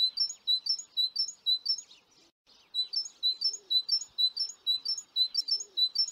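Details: Recently fledged young great tits, 25 June 2019, give high, thin chirping notes in quick succession, about two each second, with a brief pause midway; a few faint lower sounds occur in the background.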